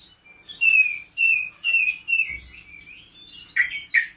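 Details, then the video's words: Spotted-variant blue-winged leafbird, a captive bird still in training on mimicked fills, sings a series of clear whistled phrases that slide downward, each about half a second long and separated by short gaps, ending in two sharper high notes. "Cungko trotol gacor"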